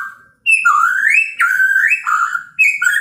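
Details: Chinese hwamei singing in the morning to provoke other birds: after a brief pause come long sweeping whistles climbing steeply upward, then a lower wavering phrase and a short bright ending.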